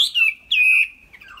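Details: A tame Chinese hwamei gives two strong whistled notes, the first dropping and the second long and level, followed by a softer falling warble.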